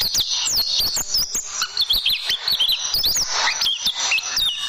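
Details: White-eye song used as a tutoring recording for training caged birds, in the rapid 'tembakan' style: dense, high, fast warbled chatter of quick sliding and zigzag notes with little pause, with sharp clicks scattered throughout.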